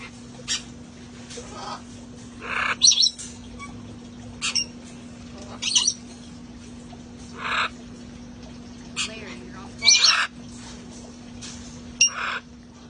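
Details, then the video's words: A flock of parrots having fun outdoors. Brief raspy squawks and a few sharp chirps come every second or two, with some human speech and a constant low hum. "sounds of parrots having fun outside"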